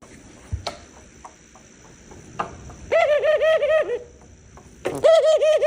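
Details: Tame pet dove that has become used to its keepers, giving two bursts of low, wavering, throaty cooing after a quiet start with faint clicks and a steady background hum.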